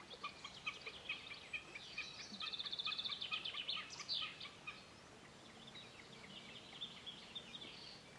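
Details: A common snipe in Kontiolahti in summer 2008 gives quick, high, dry ticking notes in rapid runs, with a fast rattling burst in the middle, against faint background noise.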